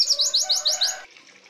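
A red siskin sings a fast, high twittering series of about eight sharp descending chirps in one second, then falls quiet.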